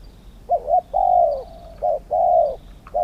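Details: Spotted dove cooing during decoy trapping with a trap cage, alongside a set of wild birds. Low, mellow coos come in a short note followed by a drawn-out one, repeated twice, with a light hum behind.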